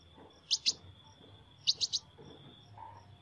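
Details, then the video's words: Sunbird singing in an unusual voice: sharp, very high chips, first a pair and then a quick run of three, over a steady thin high-pitched hum in the background. "Chim Hút Mật Hót Giọng Lạ"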